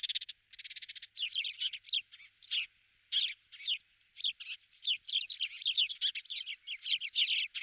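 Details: Several Spanish sparrows, recorded in Toledo province, Spain, in November 2019, chirp in a busy overlapping chatter of harsh, bright cheeps with hardly a pause, opening with a quick buzzy rattle.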